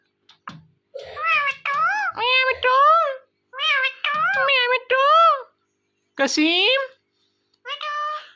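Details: Pet ringneck parrot talking indoors: a fast run of wavering, nasal, speech-like phrases with rising and falling inflections, broken by short pauses, then a higher scratchy note and one last short phrase.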